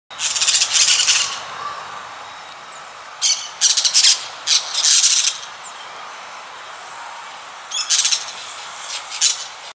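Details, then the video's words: A parakeet in a tree in a park gives harsh, high, grating screeches in irregular bursts, some drawn out for about a second, others clipped, with quiet gaps between them. "Parakeet making noise"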